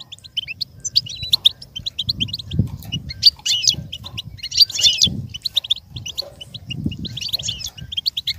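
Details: Goldfinch song played so a goldfinch can learn and imitate it: a steady stream of high, tinkling chirps and twitters over a continuous low rumbling background.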